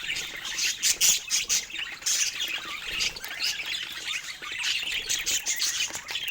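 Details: Pet budgies at play with toys chirp and warble in pulsing bursts, high scratchy notes and short squawks rising and dipping about once a second.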